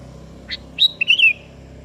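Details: Sooty-headed bulbul (kutilang kebo) in full voice, calling a rival that answers; a soft short note followed by a clear whistled phrase that rises, dips and trails downward, over faint low hum.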